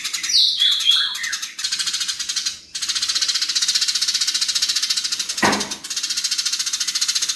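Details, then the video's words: House sparrows fighting, kept as a training recording for songbirds: dense, fast, harsh chattering notes packed together at high pitch, with a brief sweeping whistle at the start and a short noisy burst midway. "BURUNG GEREJA NYERET SPEED RAPAT VOLUME KERAS GACOR KONSLET"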